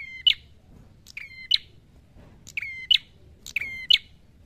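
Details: Prinia known locally as red-headed prenjak, in a vigorous fighting song. Each phrase opens with a high tick, holds a level whistle, then snaps off in a harsh burst. Four phrases come about a second apart.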